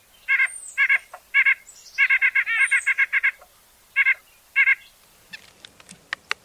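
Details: White-breasted nuthatch (Sitta carolinensis) call: nasal, buzzy yank notes, singly and in quick runs of several, roughly two per second; faint clicks follow at the end.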